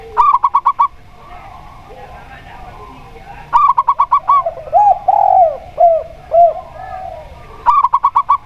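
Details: Local zebra dove (perkutut lokal), a lure recording meant to make doves sing: three rapid bursts of clipped, bubbling notes spaced a few seconds apart, with a spotted dove's (tekukur) lower rounded coos in between.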